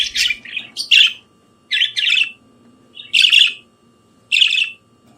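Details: Budgerigar in the morning giving spaced, scratchy chirps, single or paired bursts about once a second with quiet gaps between them, against a faint low background hum.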